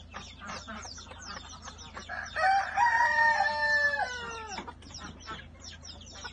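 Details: Chickens leaving the coop in the morning: a rooster gives one long crow with a rising start and a falling end, over a steady chatter of clucks from the flock and a low background hum.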